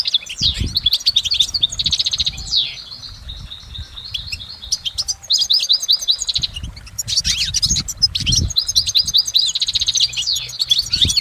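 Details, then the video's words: A European goldfinch singing in nature: a long, fast, tinkling jumble of high twittering notes and liquid trills, running almost without pause, over low rumbling background noise. "recordings of the goldfinch"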